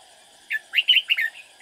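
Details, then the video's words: Caged red-whiskered bulbul used as a decoy while trapping, singing to lure rivals: one short, lively burst of four liquid, warbled notes that slur up and down, with a faint steady high hum behind. "Bẫy chào mào Lăng xăng mau mồm"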